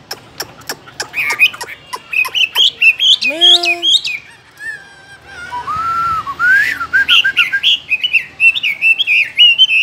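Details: Chinese hwamei in a cage mixing sharp clicks with warbled whistles, a few low slurred notes, then a long rising and falling melodious run of high whistled phrases.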